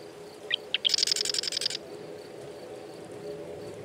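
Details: Marsh wren song opening with two or three quick chips, then a rapid, evenly pulsed rattling trill of about a dozen notes lasting under a second, then quiet.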